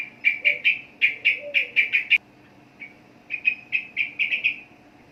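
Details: Sooty-headed bulbul from the Indonesian archipelago repeats crisp, clipped chirps in two bursts of roughly eight notes each, with a quiet gap of about a second between them.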